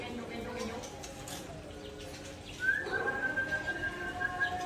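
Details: White-rumped shama (Murai Aceh) showing off its learned fill-in material: after a quiet start, a sharply rising whistle leads into a long, pure, steady tone held for nearly two seconds, with low background noise.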